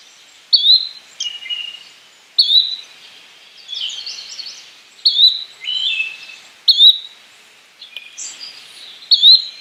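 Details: Yellow-bellied flycatcher repeating a short upward-sliding call roughly every one and a half to two seconds, five times, while other birds add scattered chirps and descending notes in between.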